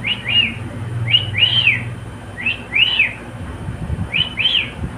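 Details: Pet cockatiel song: pairs of bright, up-and-down whistled notes repeated roughly every second and a half, clear over a soft low rumble.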